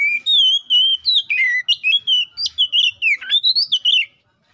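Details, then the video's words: Oriental magpie-robin in lively 'gacor ngeplong' song, calling a rival, used as a lure for getting a magpie-robin to sing: a rapid run of varied whistled notes, slurs and dips, about a dozen per second-long stretches, loud and clean. "KACER GACOR NGEPLONG❗MEMANGIL LAWAN PALING AMPUH BUAT PANCINGAN KACER BIAR CEPET GACOR!"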